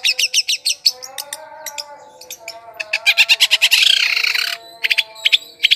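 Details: Long-tailed shrike lure song for attracting wild birds: rapid repeated harsh chattering notes, roughly three per second, with a loud rasping burst near the middle, a faint low drone underneath.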